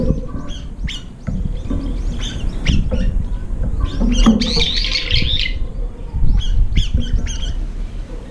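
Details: Brown-eared bulbuls, late to their meal, jostle over a nearly emptied food bowl; short scattered chips lead to one longer, buzzy, wavering squeal near the middle, with low rumbling underneath.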